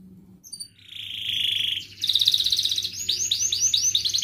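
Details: Canary singing a gacor training song in the ngerek, mbarong, cuit cuit and ngerol style, used as a lure to get lazy canaries singing: a few thin high notes, a steady buzzy trill, then a rapid rolling chatter of repeated upswept notes.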